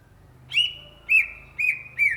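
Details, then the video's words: Four loud whistled notes from a greater green leafbird (Cucak Ijo), each starting with a sharp click and holding a steady pitch before dipping, spaced about half a second apart, with a low hum underneath. "SUARA BURUNG CUCAK IJO GACOR , TELER"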